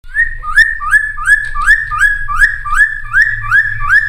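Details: Cucak timor singing gacor with full fill-in phrases, used as a lure for wild-caught birds: a loud, steady run of short whistled notes, each rising then levelling, about two and a half per second, with a faint low hum beneath.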